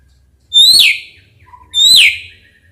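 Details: White-rumped shama song meant to make quiet males respond: two loud, ringing downslurred whistles about a second apart, with a soft low note between them.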